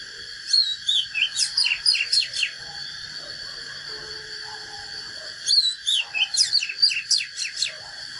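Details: Natural fighting song of an Oriental magpie-robin: two bursts of clear whistled slides followed by fast, steeply descending notes in quick series, separated by a pause, with a constant high-pitched drone behind.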